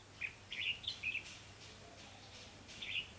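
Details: Red-whiskered bulbul used as a trapping decoy in Vietnam, giving a burst of four quick liquid warbled notes, then a pause and one more phrase; faint low hum behind.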